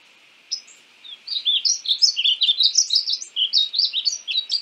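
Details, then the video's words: After a lone opening note, a painted bunting (Passerina ciris) launches into a single continuous run of sweet, quick, high warbled notes. "Conheça o belo canto do pássaro estamenha pintada (Passerina ciris)"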